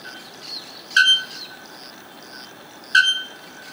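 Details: Bare-throated Bellbird recorded at PETAR park, Iporanga, giving two loud, ringing metallic clangs about two seconds apart, like a hammer striking an anvil, over faint high chirps of other birds.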